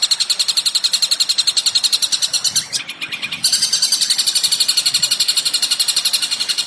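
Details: Long-tailed shrike song used as training material for contest birds: a fast, high, scratchy chatter of sharp notes repeated about four times a second, briefly breaking before resuming in a steadier, louder series.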